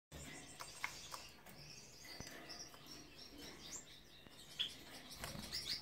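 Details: A white Gouldian finch gives a few soft, high, thin chirps, mostly near the end, over a steady hiss of background noise.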